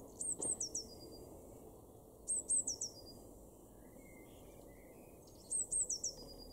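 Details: Eurasian blue tit in a garden in Weener, East Frisia, Germany, in April 2021: short phrases of three to four thin, very high descending notes, each phrase about a second long, repeated every two to three seconds over a faint low background hum.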